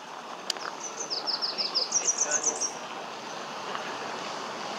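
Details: Male Pink-headed Warbler singing at a forest edge beside the Ocosingo Highway in Chiapas, Mexico, on 21 March 2014: a high, sweet trill of about a dozen quick slurred notes lasting under two seconds, over steady background hiss.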